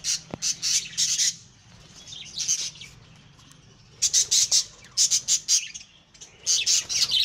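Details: Pet lovebirds bred at home, uttering sharp, shrill squawks in quick rhythmic runs of several notes, pausing for a few seconds of softer background twittering before the rapid shrieking bursts resume.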